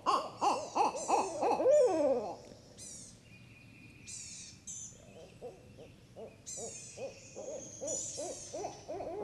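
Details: Barred owls (Strix varia) in Sparkleberry Swamp, Santee, on a very hot day, answer a played call with a loud, wild burst of cackling, arching hoots, then softer rhythmic hooting about three notes per second; thin high bird calls behind.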